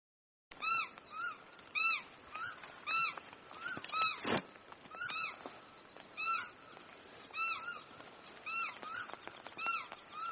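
A kakapo gives a steady series of nasal, arched, ringing calls, each short and high, repeated about once a second; one sharp click cuts in midway.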